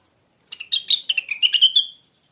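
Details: Rengganis bird, original recording meant as training material for songbirds: one quick chattering phrase of bright chirps lasting about a second and a half, ending in a thin drawn-out trill.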